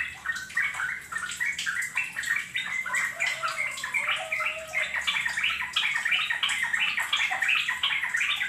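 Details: Sooty-headed bulbul song used as a lure to make other bulbuls sing: dense, continuous bubbly chatter of short warbled notes repeated rapidly, overlapping phrases with a slightly watery, echoing quality throughout.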